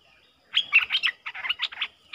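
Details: Streak-eared bulbul pair dueling in song on 30 October 2021: a brief, softer run of fluty, warbling notes in quick succession, with faint background hiss.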